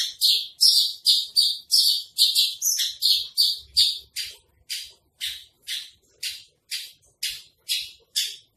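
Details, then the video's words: Javan bush lark ('branjangan trotol') tutor song: short rasping high bursts delivered quickly at about two or three per second, dense at first, then thinning into evenly spaced scratchy notes toward the end. "masteran branjangan trotol"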